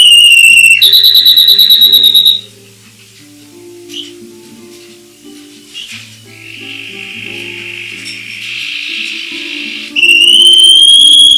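A canary sings loud, rapid rolling trills and high steady whistles. Its song breaks off for several seconds of soft, low musical tones before the trilling returns.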